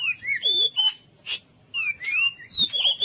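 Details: White-rumped shama in full cililin-style training song: three bright whistled phrases, each slurring up and down, separated by short pauses.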